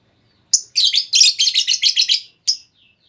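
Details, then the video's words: Female lovebird lure call aimed at setting off long trilling: a single sharp chip, then a rapid string of about ten harsh, buzzy high notes in quick succession, ending with one more chip. "Pancingan Burung Lovebird Betina! Bakal Langsung Respon Lovebird Segala Kondisi Auto Ngekek Panjang"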